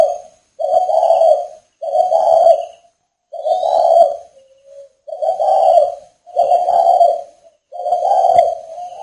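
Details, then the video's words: Male spotted dove at a breeding farm in northern Vietnam, cooing on a rainy day: six hollow, low, steady coos about a second long, evenly spaced, with a faint shorter note between two of them. "chim cu gáy Tuyệt ĐỈnh miền bắc"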